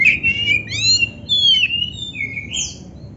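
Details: Oriental magpie-robin training song for caged kacer: sweet whistled phrases, some rising and some falling, joined into a flowing varied strophe with a few higher squeaky notes.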